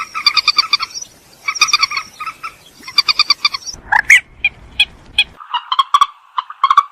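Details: Purple swamphen calling in grouped bursts of buzzy, harmonic cackles, then a harsher squawk and a run of quick nasal clucks in the second half.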